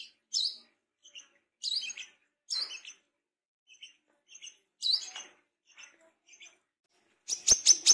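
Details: Brown-throated sunbird, tame and singing readily, gives scattered high piercing chirps and faint ticks, ending in a short burst of quick clicky notes.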